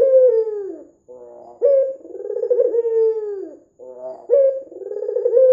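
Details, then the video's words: Red-eyed white Barbary dove, a very vocal bird used as a lure to get other doves calling, gives low rolling coos that rise sharply, then slur and drop, with a soft trilled phrase between coos, repeated about every two seconds. "PANCINGAN PUTER PUTIH MATA MERAH GACOR"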